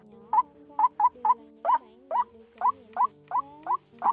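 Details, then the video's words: White-breasted waterhen lure recording of single-note calls from the end of the 2020 season: short hooked notes repeated at uneven intervals, about two per second, over faint steady low droning tones. "Tiếng quốc TA , Quốc Bụi , Tiếng đơn âm"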